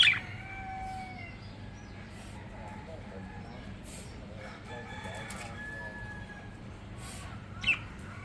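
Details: Two budgerigars; one chatters softly, mixing warbled notes with a couple of sharp squawks over a low hum.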